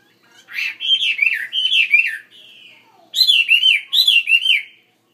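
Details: Fatso, a caged Chinese hwamei kept in a bigger cage, sings loud, rich phrases of slurred, swooping whistles in two bursts, with a brief softer note between them.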